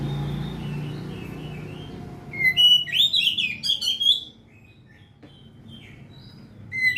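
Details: Oriental magpie-robin singing: a loud two-second burst of rapid, varied whistled and chattering phrases, preceded and followed by quieter thin whistles, with low room noise.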